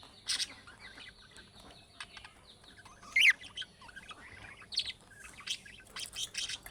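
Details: Budgerigar chick-style calls meant to get other budgerigars to answer: scattered sharp high chirps separated by quiet gaps, with a loud squeaky burst near three seconds and more chirps toward the end.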